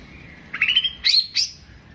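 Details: Long-tailed shrike, locally pentet, singing a brief 'tembakan panjang' fragment: a warbled high whistle followed by two sharp rising squeaky notes.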